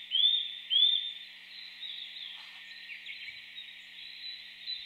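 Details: Eurasian nuthatch from Japan giving two loud, upslurred whistled notes close together, followed by quiet background with only faint distant sounds.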